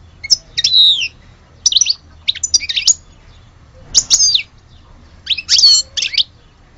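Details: Algerian European goldfinch singing in clusters of liquid, twittering notes, four short phrases separated by brief pauses, clean and high-pitched with a quiet background.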